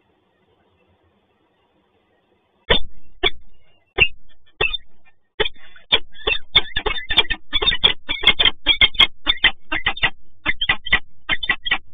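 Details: Silence, then irregular sharp taps and thuds of raindrops striking close by, with no animal voice.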